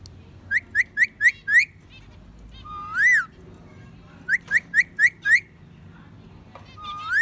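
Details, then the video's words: Pet parakeet whistling a repeated phrase: five quick rising notes followed by a long smooth whistle that climbs and falls, given twice, with a final upward whistle at the end. "So Cute Happy Talking Parrot Singing-Bird Parakeet"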